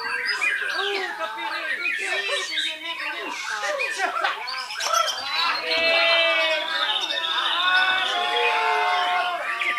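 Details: White-rumped shama from Belitung island in full song: a dense, rapid run of varied whistles, sweeping slurs and chattering trills, with notes tumbling several times a second and a stretch of stacked, ringing phrases toward the end.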